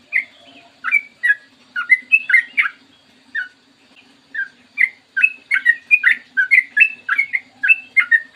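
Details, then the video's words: Yellow-vented bulbul in clear morning voice, singing long rolling 'ropel panjang' phrases: short liquid, slurred whistled notes in bursts, some rising, some falling, with pauses near three and five seconds, over a faint low steady hum. "PANCINGAN TRUCUKAN AGAR BUNYI burung TRUCUKAN GACOR ROPEL PANJANG"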